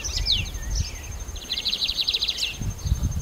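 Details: Lined seedeater: a few quick high slurred notes, then a steady, rapid, buzzy trill lasting about a second, ending in a short upward flick. Low rumble and a thin constant whine are heard underneath.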